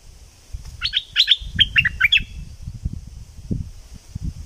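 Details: Southern Thai decoy recording of Thick-billed flowerpecker: six or seven crisp, high ticking chirps in an uneven run over about a second and a half, with soft low background noise.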